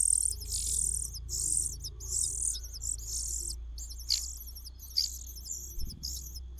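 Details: Cuckoo in a nest: high, hissing bursts repeated about once a second in uneven rhythm, with a steady low hum beneath.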